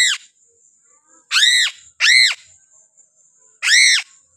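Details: A captive piping crow, a Sulawesi endemic, still very thin and fed only crickets, gives harsh, loud, screech-like calls, four in about four seconds, each arching up then down, over a faint steady high hiss.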